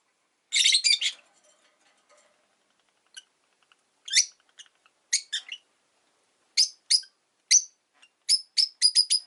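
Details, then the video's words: Five caged rosy-faced lovebirds by a window on a relaxed afternoon, giving a rapid cluster of harsh high chirps, then scattered sharp shrill notes in pairs and triplets, quickening into a run of piercing tweets toward the end. "Lovebird Chirping Sounds"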